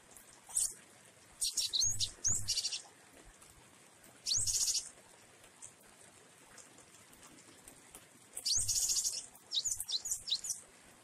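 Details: Java sparrow of the wingko type singing jueh variations in rainfall: scattered bursts of high chattering chirps and clicking notes, some dense clusters and short whistles, with long gaps filled by the constant patter and hiss of rain.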